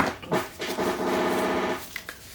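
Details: A woodpecker outside, pecking the side of a house for bugs and thought to be on the rain gutter, drums one rapid, even, ringing metallic roll about a second long, heard from indoors with quiet room sounds.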